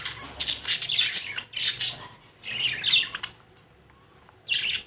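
Budgerigar giving bursts of high, scratchy chirps and squawks with short pauses between them.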